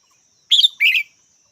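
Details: Red-whiskered bulbul calling a quick two-part phrase: a sharp high chirp followed by a slightly lower, warbled second note, with a quiet background.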